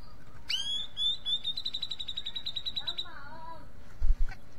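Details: Grey-cheeked bulbul singing: a sharp rising note leads into a fast, even trill of bright repeated notes lasting about two seconds, followed by lower slurred whistles and a short thump.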